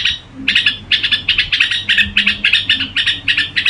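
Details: Red-whiskered bulbul in gù singing, giving evenly spaced bright chirping pulses, some doubled, in a brisk, regular rhythm after a brief opening phrase.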